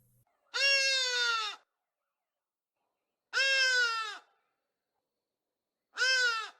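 Three loud, harsh, nasal calls from a Hadeda Ibis, each about a second long and dropping at the end, spaced a couple of seconds apart. Nothing else is heard.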